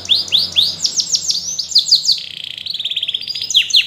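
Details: Yellow canary singing: bright downward-sweeping whistled notes in quick succession, then a rapid buzzy trill held steady for over a second, closing with more sharp slurred sweeps.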